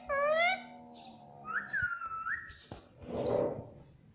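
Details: Pet ringneck parrot repeating "mummy"; a harmonic voiced syllable, a flat whistled tone held about a second, then a breathy noisy burst, with short high chirps between.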